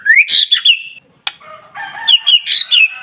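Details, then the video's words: White-rumped shama song meant to set other shamas singing: rising whistles broken by rough crackles, a single sharp click, then lower chattering notes and a fresh run of warbled whistles. "PANCINGAN MURAI BATU SUPER NGOTOT,DI JAMIN BURUNG MURAI JADI GACOR"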